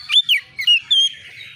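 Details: Oriental magpie-robin, untrained and roused by a rival, gives four or five loud, quick whistled notes, some sliding down and one drawn out, then a fading warble.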